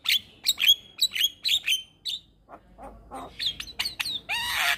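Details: Javan myna song recorded to train juvenile mynas: a quick series of ringing whistled notes, then softer lower chips and a harsh, rasping squawk to finish.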